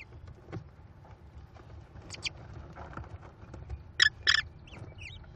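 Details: American kestrel chicks, five young in a Cornell nest, being fed rodent leftovers by their mother on 18 May 2021; harsh, rasping calls in two loud bursts close together near the end, with softer scattered chirps and low rustling before.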